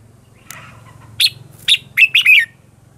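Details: Red-whiskered bulbul singing a lure song for training and calling wild birds: a few sharp, bright chirps rising into quick slurred whistles, over a low buzzing hum.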